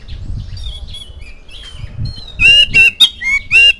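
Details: Oriental magpie-robin song played so young birds pick it up and start singing: after soft scattered notes, loud clear whistles sliding up and down with sharp harsh bursts between them, about one phrase every quarter second.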